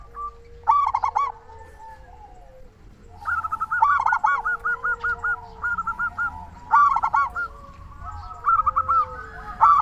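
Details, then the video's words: Local zebra dove lure call to stimulate doves into calling: rough stuttering bursts alternating with a long series of crisp, evenly repeated coo pips, phrases recurring every few seconds over a low murmur. "Perkutut lokal gacor suara paling ampuh untuk pancingan burung perkutut agar cepat bunyi"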